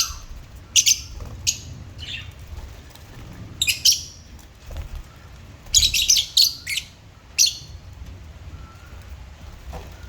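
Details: African lovebirds kept as pets give harsh, shrill chirps in irregular bursts, with a dense cluster near the middle and a few thin whistles between the louder notes.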